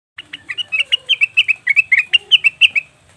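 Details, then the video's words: Leafbird, local cucak wilis or rengganis, used as a lure to make birds call: a fast run of bright, sharp chirps about three per second, evenly spaced with slight pitch shifts, and faint low hum underneath. "pancingan burung cucak wilis/rengganis dijamin langsung bunyi"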